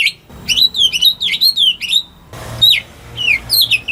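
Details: Home-kept greater green leafbird, a prompt for birds that won't sing, giving a run of swooping whistled notes, a short break, then more falling whistles over a low background hum.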